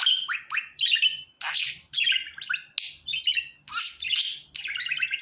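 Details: A happy pet budgerigar delivers a lively, continuous warble: buzzy notes, quick rising chirps, clicks and whistle fragments tumbling together in bursts under a second long.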